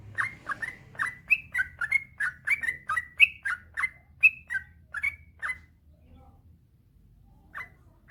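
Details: Yellow-vented bulbul master song for stirring lazy bulbuls to sing: five seconds of quick, gurgling whistled notes at varied pitches, then near silence broken by two final short whistles.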